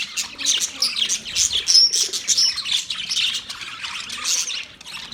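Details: Flock of Australian budgies chirping steadily, bright high tweets and brief whistled notes tumbling over one another in a busy, unbroken chatter.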